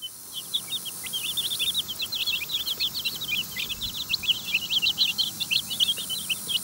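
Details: Several chicks feeding in their run, eating from hands rather than a dish; a dense stream of short, high, piping peeps overlaps continuously, with light background hiss.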